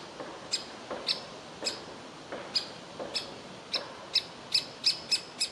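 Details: Begging young woodpecker inside a tree hole, wanting food while the parents try to make it leave; a run of about eleven sharp, high calls that come faster toward the end.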